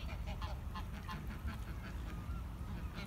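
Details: Flock of Greylag geese on the River Esk at Musselburgh giving rapid, overlapping nasal honks, roughly three per second, with a steady low rumble beneath.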